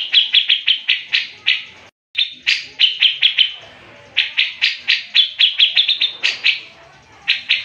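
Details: Grey-cheeked bulbul singing in the energetic gacor mbeset ngepik speed rapat style, used as a master recording for training songbirds: loud, bright, clipped notes fired in quick runs, each burst slightly falling, broken by brief pauses, with no other sounds.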